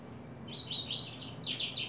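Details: Coleiro starting its song in July 2024. Brief thin high whistles lead into a fast run of bright, buzzy, downward-slurred notes over about two seconds. A soft low background hum is present.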